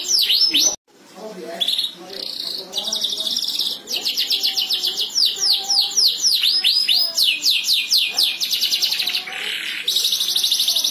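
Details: Several canaries trading song back and forth: a short pause near the start, then dense runs of quick descending whistles, buzzy trills and rattling bursts, with high thin notes layered over steady rapid phrases.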